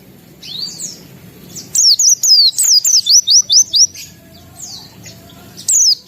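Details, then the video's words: White-eye in lively song: soft high chirps, then a loud fast run of about eight repeated downslurred notes, quieter twittering, and a final loud burst; music plays faintly behind. "Suara Burung Pleci Gacor Buka Paruh Bongkar Isian"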